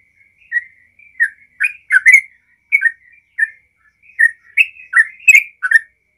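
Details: Sooty-headed bulbul in rapid 'ropel' style song, used as a lure to get other bulbuls singing; short bubbly whistled notes in irregular pairs and clusters, with brief gaps, over a faint steady high tone.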